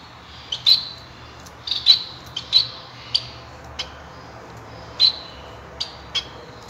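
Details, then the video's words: Male society finch, also called Bengalese finch, singing. High, thin chirped notes come in short irregular clusters, with sharp clicks between them, over a low steady background hum. "Society Finch Singing"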